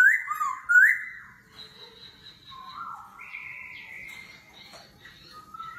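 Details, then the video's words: Laughingthrush singing competitively in a forest voice, switching its voice continuously, in the 'kéo thuốc lào' style. Two bright rising whistles open the clip, followed by long, softer, drawn-out whistled tones at several pitches. "Khướu hót giọng rừng - hót đấu - đảo giọng liên tục - kéo thuốc lào"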